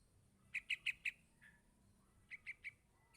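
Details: Yellow-vented bulbul chick begging from its parent: four loud, evenly spaced sharp chirps, a softer slurred note, then three more chirps after a pause.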